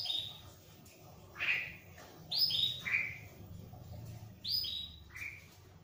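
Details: Plain-throated prinia in full song despite a myna close by, repeating high, clear downslurred whistles in pairs and triplets every second or two, over a soft low background hum.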